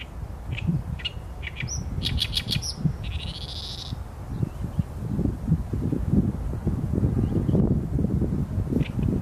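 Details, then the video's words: Song of an Oriental reed warbler, camera-recorded on a Sony A7M3: a few harsh clicks build into a loud rasping, buzzy chatter, then the bird falls quiet amid rumbling low background noise. "개개비 - Acrocephalus orientalis - 大苇莺 - bird song"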